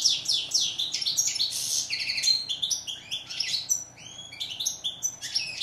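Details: Continuous twittering song of a European goldfinch (Moroccan name steyla): fast jumbled chirps, liquid tinkles and short buzzy rolls run together with barely a break.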